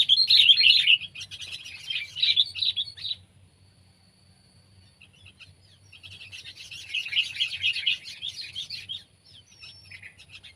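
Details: Kutilang, the sooty-headed bulbul Pycnonotus aurigaster of Indonesia, pet or wild: a loud three-second spell of rapid, tangled chirps, a quiet gap, then a softer, steadily building run of twittering notes with a faint low hum beneath.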